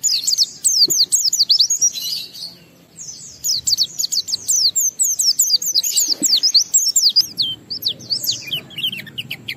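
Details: Caged Oriental white-eye used as a lure for other white-eyes, pouring out rapid high trilled phrases of repeated downslurred notes in long bursts with short pauses, a soft low rumble at the end.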